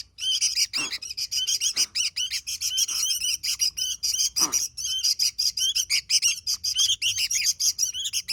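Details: Vigorously singing Sooty-headed bulbul: an unbroken run of quick, high, scratchy warbled notes pulsing several times a second, with a few louder clicks or knocks mixed in.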